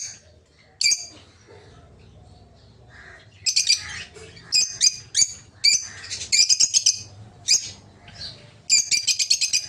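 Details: Peach-faced lovebirds in an aviary give loud shrill squeaking calls in rapid series, starting sparse and becoming denser, over a low background hum.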